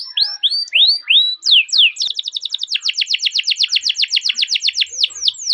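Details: Rolling canary training song: several rising whistled upslurs, then a long rapid trill of downslurred notes repeated about four per second, closing with slower sweeping chirps.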